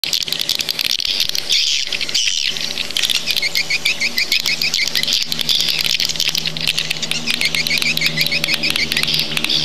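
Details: Swiftlet sound played to attract birds to swiftlet houses: a dense, unbroken chatter of high, rapid twittering chirps with quick chirp series running through it, over a low steady hum.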